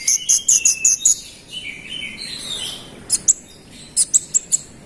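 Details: Scarlet-headed flowerpecker (konin) in energetic gacor song meant to provoke rival birds: a quick run of sharp high ticking notes, then thin descending whistled slurs and a few isolated high chips.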